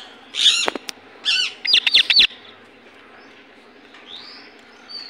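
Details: Indian ringneck parakeet giving two raspy squawks followed by a quick cluster of sharp chips, then quiet with a faint rising whistle later.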